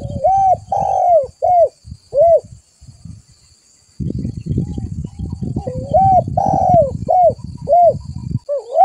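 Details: Spotted dove call played to lure other doves: short mellow arched coos in quick groups, partly covered midway by a stretch of loud low rumbling and handling noise.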